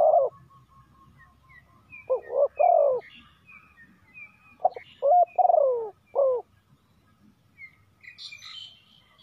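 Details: Spotted dove used as a decoy to call in wild doves. It gives low cooing phrases of short notes ending in a longer coo. High chirps and twitters from other birds sound in the background.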